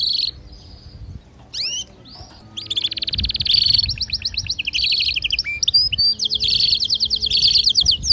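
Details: Domestic canary pair, female soliciting mating as the male sings: a few scattered rising chirps, then long fast rattling trills repeated about three times a second, broken by brief pauses and high sweeping notes.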